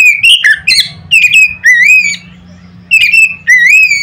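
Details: Oriental magpie-robin singing loud notes meant to set other magpie-robins singing: clear whistled phrases that slur upward, several bursts with a short pause midway, over a faint low hum.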